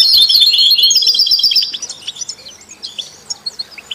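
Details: European goldfinch song intended to stimulate other songbirds, from canaries, goldfinches and mules: a loud, dense twittering phrase for under two seconds, then softer, scattered chirps at irregular intervals.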